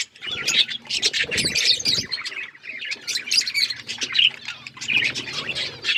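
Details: Breeding budgerigars twitter constantly, mixing squawky chirps with clear whistled squeaks that pop out every second or so, over a soft low hum.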